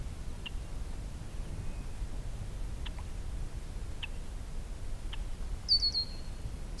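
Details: Red-winged Blackbird at a wetland, Beaver Meadows, Allegheny National Forest, on a hazy mid-afternoon: a few soft, dry check notes, then a quick run of three high, sharp notes ending in a drawn-out thin tone, over low rumbling wind.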